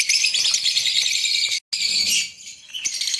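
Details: Shrill, rapid chirping from a green Fischer's lovebird pair breeding in Pakistan, cut by a brief silent gap and then softer twittering.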